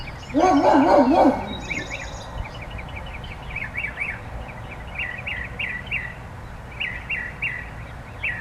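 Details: Bird song opening with a loud, lower, harsh burst of calls, followed by groups of quick, high chirped notes repeated in short clusters over a quiet background.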